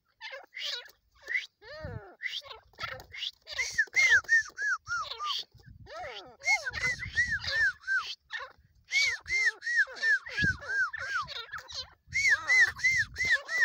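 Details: Iranian francolin (teetar), recorded 27 November 2023, gives bursts of harsh, arched notes, about three a second, in repeated phrases; a few human voices and laughter are heard faintly.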